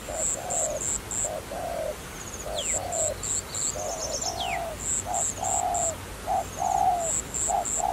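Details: Steady low coos from a trapping dove, long and short notes in a regular pattern. Very high repeated chip notes and a couple of falling whistles from other birds run throughout.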